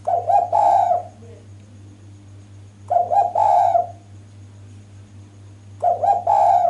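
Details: Spotted dove female calling to attract males: three cooing phrases about three seconds apart, each a quick double note running into a longer, falling coo, with a faint hum throughout.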